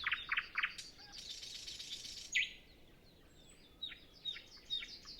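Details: Nightingale singing in the early morning before sunrise on a windless day, other birds not yet singing; rapid repeated notes, then a buzzy rattling phrase, a sharp upslurred note and scattered high whistled downslurs.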